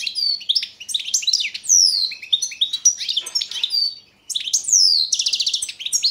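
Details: Carduelis carduelis balcanica, European goldfinch, competition recording from the 2022 World Championship in Goldfinch Song: lively high twittering with descending whistles, a brief pause around four seconds, ending in a quick buzzy trill.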